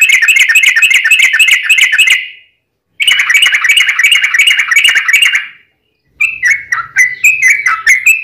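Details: Fighting song with long rapid trills from a sooty-headed bulbul, aimed at drawing other bulbuls to answer; two fast, buzzy trill bursts separated by silence, then slower bright chirping phrases with faint low hum.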